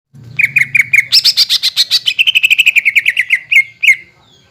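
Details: Greater green leafbird song used as a lure to make untrained and group-kept leafbirds answer: a fast run of bright, chirped notes, first low and even, then a higher buzzy stretch, ending in quick descending slurs.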